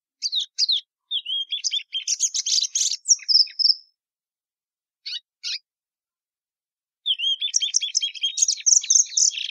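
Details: Plumbeous seedeater (Sporophila plumbea) singing: two bursts of rapid, varied twittering and warbled notes with short sliding whistles, separated by a pause holding a couple of brief chips.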